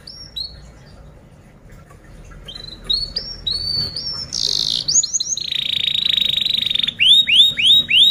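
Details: Canary song as masteran, a lesson recording for other birds: soft spaced whistles build into rising notes, a buzzy burst, a steady rapid trill, then a series of loud looping upslurred whistles.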